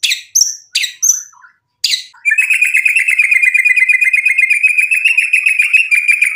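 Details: White-rumped shama singing to provoke rivals into answering: several sharp separate chips and notes at first, then a long unbroken buzzy trill at a steady mid-high pitch lasting about four seconds.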